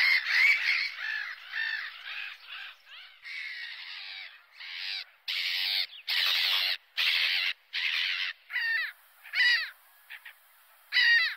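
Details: Seagulls cry loudly and harshly in long, overlapping calls, then in shorter, separate arched yelps with brief silences between them.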